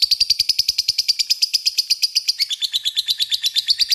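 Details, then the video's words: Lovebird chattering in long ngekek, a lure meant to call a rival: loud, high, buzzy notes repeated rapidly and evenly, about eight per second, stepping slightly lower after the halfway point. "LOVEBIFD DIAM CUKUP SEKALI DENGAR AKAN IKUT NGEKEK PANJANG PANCINGAN LOVEBIRD"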